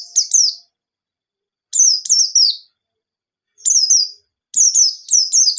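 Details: White-eye singing energetic ngalas-style song, a lure for untrained birds: short high downslurred piping notes delivered in pairs and triplets, separated by gaps of one to two seconds, clean background.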